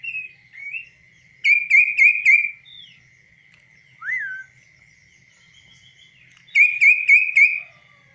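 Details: Tame kaso-kaso bird singing while perched on a hand outside any cage, a trained bird with a clear, varied voice. Bright whistled phrases of quick, clipped notes come in bursts, with single slurred whistles between them. A steady high tone runs underneath.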